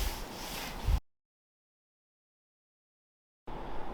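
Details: A brief burst of low outdoor rumble, a long gap of silence, then the rumble returns, with no animal calls.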